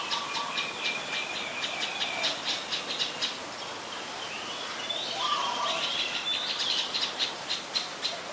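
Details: Adult common tailorbird, a common resident, recorded in Ubon Ratchathani, Thailand, on 9 February 2023: rapid sharp high notes repeated about three or four times a second in runs, a lower whistled note between, over steady background hiss.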